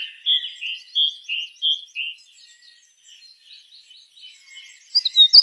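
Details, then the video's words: Bird singing vigorously: short slurred whistled notes repeated about three times a second for two seconds, then soft high chatter and a sharp, bright closing burst. "suara burung gacor"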